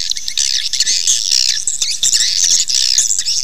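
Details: Swiftlet lure call to make swiftlets settle and nest: loud, crowded high-pitched twittering and squeaky chirps overlapping continuously.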